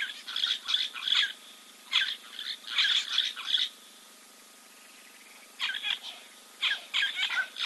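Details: At a waterhole in Timbavati Game Reserve, Kruger National Park, South Africa, a giant kingfisher preens, 04.02.2024, live camera; rasping, clipped notes come in rapid clusters, then a pause of about two seconds before more bursts.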